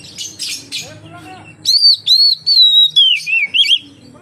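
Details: Oriental magpie-robin singing to draw other magpie-robins into song: soft mixed sounds at first, then a loud string of pure whistled notes, holding steady and then dipping into quick warbled turns.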